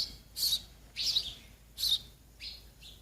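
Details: Baby sparrows begging while they wait for the parent birds to bring food, giving a few loud, high, squeaky chirps in quick succession against a quiet background.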